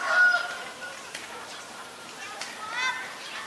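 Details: Common myna in Ubon Ratchathani, Thailand, recorded February 28, 2022 with a Nikon P1000: a loud, harsh, nasal call with stacked tones opens, then softer scratchy chatter follows, and another grating burst comes near the end.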